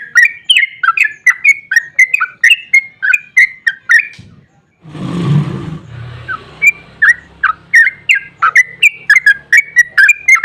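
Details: Excited sooty-headed bulbul (trucukan) in long 'ropel panjang' song, a lure for other bulbuls: fast chains of bubbly, warbling chirps, broken midway by a loud low rustling thump before the rapid notes resume.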